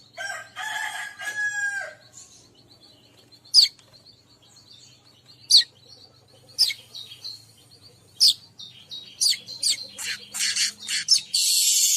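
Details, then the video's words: Calling sound meant to attract every kind of weaver: opening twittering phrases, then sharp high chips every second or two, quickening into dense chattering that ends in a harsh continuous buzzy sizzle over a steady thin high tone. "suara pemanggil semua jenis burung manyar"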